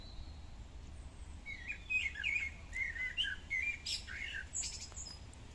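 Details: Common starling (Sturnus vulgaris) song in a park in fine weather: a jumbled medley of squeaky whistles, chirps and clicking rattles, varied and unrhythmic, over a faint low hum of distant traffic.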